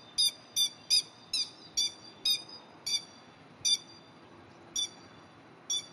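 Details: A Grey-headed lapwing, one of a mated pair defending its territory by a rice paddy from a passing cat, gives about ten sharp, harsh, high-pitched alarm notes, quick at first, then spacing out to about one per second.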